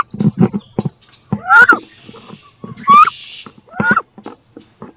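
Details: Two female wood ducks fighting inside a nest box, each wanting to lay and incubate there: low thumping scuffles and knocks, broken by a few sharp rising squeals, with a brief hissing rasp between calls.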